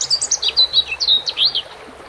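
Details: European robin with water sounds: a quick stream of high, liquid notes rising and falling in pitch, sweetly warbled for about one and a half seconds, then fading into the hiss of water.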